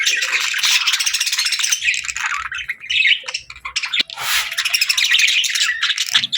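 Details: Budgerigars chirping: a dense, continuous chatter of rapid high twittering notes with scratchy buzzy trills, briefly quieter mid-clip before swelling again, several birds overlapping.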